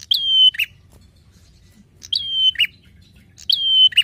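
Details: Prinia singing energetically, a recording meant for tutoring songbirds or drawing out their song: three phrases, each a sharp opening note, then a sustained high whistle closing in a rough, lower burst, with silence between.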